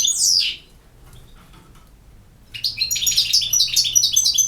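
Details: European goldfinch from Bosnia and Herzegovina, campero song: one sharp descending note, a quiet gap with faint chirps, then a fast stream of high bright twittering.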